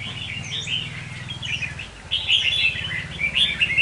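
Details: Caged red-whiskered bulbul kept as a decoy bird: bright chirping and warbled phrases, high and quick, with louder bursts in the second half over a steady low engine-like hum.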